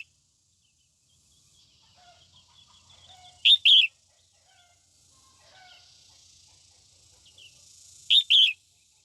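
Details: Female red-whiskered bulbul singing in the morning to excite males: two loud pairs of short, sharp chirped notes, each pair well separated, over faint softer bird notes in the background.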